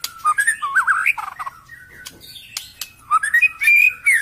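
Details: White-rumped shama song used as a lure, with rich whistled phrases sliding and warbling around the middle register, a pause, then a rising whistled run ending in loud sustained notes.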